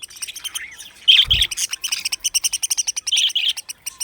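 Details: Budgerigars in an aviary colony chirping in a busy, high warble of quick clicks, squeaks and short whistled notes.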